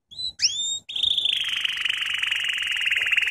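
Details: Canary singing from a training lesson: two short rising whistles, a pause, then a long, smooth, fast rolling trill held steadily to the end.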